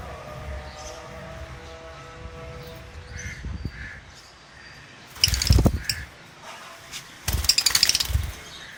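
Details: Farm-kept lovebirds of the albino, violet, blue masked and lutino Personata varieties: two loud bursts of harsh, raspy screeching, each about a second long, with faint chirps and low rumbling background noise.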